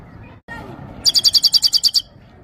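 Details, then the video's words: Himalayan goldfinch at Parachinar, singing for a female: a single fast trill of about ten sharp, high, evenly spaced notes lasting one second, preceded by quiet low background rumble. "The best himalayan gold finch singing of parachinar top bird"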